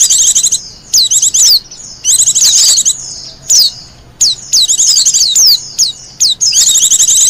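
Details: Wild Japanese white-eye song, meant for luring birds and tutoring others: short, high, scratchy twittering phrases and falling whistles, broken by frequent brief gaps.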